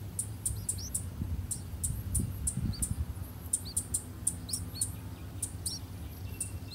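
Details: Nestling streak-eared bulbuls, three days old, begging as the parent pair feed them in a water jasmine tree nest near a house: faint, high rising peeps scattered among quick high ticks, with a low rumbling background.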